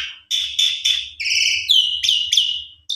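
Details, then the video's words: Javan pied starling lure song: a string of bright, ringing whistled notes, each about a third of a second long, some steady and some slurring downward, delivered in quick succession. "Jalak Suren PUNDUNG !! Coba Putar 1 Kali PANCINGAN Jalak Suren Suara ISTIMEWA Gacor Vareasi Komplit"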